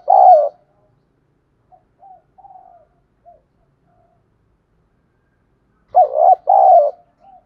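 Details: Spotted dove calling to lure other doves: a loud cooing note at the start, scattered faint soft coos in the middle, then a pair of strong hoarse coos near the end.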